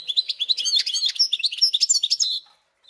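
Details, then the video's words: Continuous rapid warbling from a caged hybrid of goldfinch and canary, dense twittering and chattering notes for over two seconds before stopping. "смотрим слушаем как поет гибрид"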